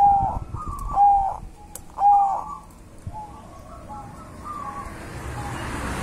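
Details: Wild-caught local Javanese zebra dove singing: three clear, bright rolling coos about a second apart, followed by softer, fainter coo phrases trailing off under rising background hiss.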